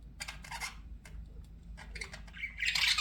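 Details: Pet budgies make clicky chirps and short scratchy notes in small bursts, ending with a louder, harsher squawk, over a faint low room hum.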